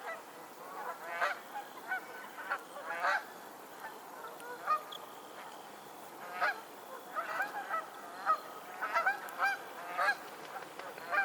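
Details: Geese on a lake in Pennsylvania honk in loose, overlapping bursts, with harsh nasal calls every second or two from several birds at once, over a soft background hiss.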